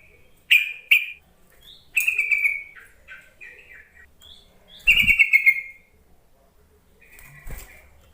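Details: Calling yellow-vented bulbul used to coax reluctant bulbuls to sing: two sharp opening notes, then several bubbly descending chatter phrases, one loud around the middle, with clicking knocks and quiet gaps between.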